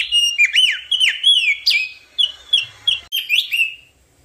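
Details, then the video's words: Crested white-eye giving a sequence of sharp, down-slurred whistles, then a held whistled note and several evenly spaced short chirps, fading out near the end. "kicau burung opior jambul"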